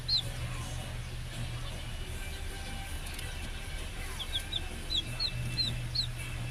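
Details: Young Rhode Island Red chicks getting used to one another: scattered high, downward-sliding peeps, mostly in the second half, with a constant low hum and background rustling.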